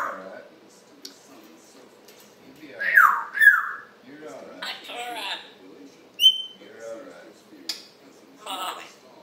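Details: Pet African grey parrot chattering in the morning, July 26, 2021: speech-like babble, two loud swooping whistles, a clear steady whistle note and scattered clicks between quieter mumbling.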